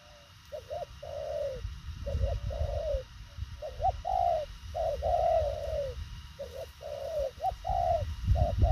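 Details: Rapid, concise cooing from a thổ khàng spotted dove: a continuous string of short clipped notes and longer falling coos, phrase after phrase for nearly nine seconds, with rumbling noise underneath.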